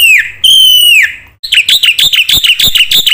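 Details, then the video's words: Black-winged myna in full song packed with isian phrases, used as a lure and training master for birds that stopped singing: long clear whistles slurring downward, a brief pause, then a run of sharp repeated chirps. "suara burung jalak putih gacor full isian TERHEBAT untuk pancingan dan masteran macet bunyi"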